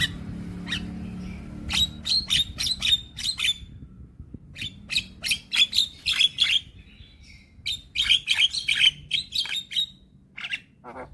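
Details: Young black-winged starling singing to draw a response from silent starlings: quick clusters of sharp whistled notes in bursts of three to five, separated by short pauses, with faint low background hum.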